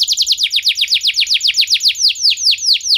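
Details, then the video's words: Canary singing a 'nembak' lure song to set other canaries off: a fast, even series of high descending whistled sweeps, roughly six per second, slowing slightly toward the end. "Kenari Anda Bisa Gacor Seketika Dengar Pancingan Kenari Nembak Joss Ini"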